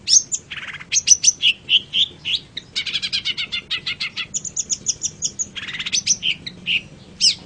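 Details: Long-tailed shrike song used as a training recording for other songbirds: varied, rapid sequence of high whistles, buzzy rattling notes and chattering phrases, continuous and loud, with faint low hum beneath.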